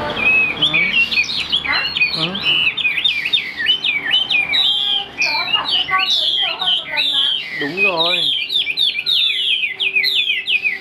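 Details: A caged Chinese hwamei, big-framed with a fig-leaf tail and known for high, powerful singing, gives a loud, varied song of quick zigzagging whistles, sharp slurred notes and short buzzy rattles with hardly a pause.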